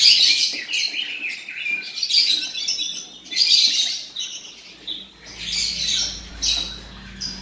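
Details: Male Oriental magpie-robin, a bird for sale, delivers a busy, nearly continuous run of sharp chirps and high twittering notes, with a faint low hum entering near the end.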